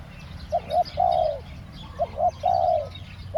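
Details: Decoy spotted dove luring wild doves, giving its 'khu ang' two-note call twice: each phrase has two brief low coos and then a long, slightly falling coo, with a faint low hum in the background.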